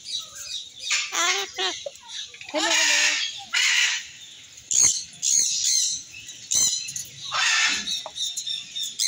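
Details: Triton cockatoo (Cacatua galerita triton) talking: harsh, raspy squawks and screechy bursts, some with a wavering, speech-like tone, about every two seconds; a person also says hello.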